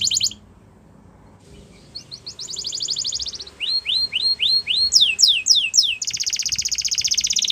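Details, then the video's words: A singing canary, used to stimulate caged canaries into song. After a brief trill and a pause, it delivers a rolling trill, a series of downslurred whistles, sharp falling sweeps, and finally a dense, buzzy, sustained roll. "Does Your Canary Not Sound ? Use This, He Will Sing A Lot"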